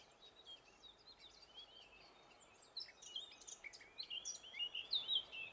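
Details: Eurasian blackcap singing in northern Gran Canaria in May 2020: faint scratchy chatter at first, then louder bursts of quick warbled and whistled high notes building over the last seconds.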